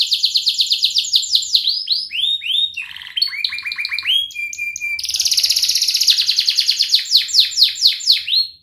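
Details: Canary training song for young canaries: varied phrases of fast trills, rising and falling slurred whistles and chattering notes, then a loud rolling trill and repeated downslurs.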